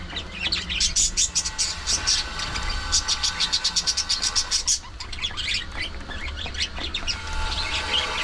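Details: Budgies at their food give a rapid run of regularly repeated high notes for about four seconds, then looser chirping and pecking sounds over a low hum.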